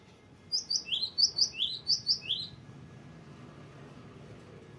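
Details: Cinereous tit in full voice, giving a long varied rolling song used as a tutor or lure for young birds: a quick run of about ten high whistled notes, each sliding downward, paired in a rapid bouncy rhythm. The run then stops, leaving faint background hum.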